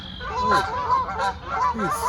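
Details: Several Canada geese coming in to land at Jericho Park, Vancouver, in early March 2021, at the start of the breeding season, honk in loose, overlapping nasal two-part calls over a faint background hum.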